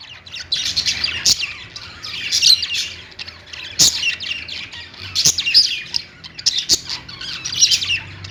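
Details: Perched budgerigars sing a steady stream of chattering warbles and squeaky chirps, punctuated by sharp clicks every second or so.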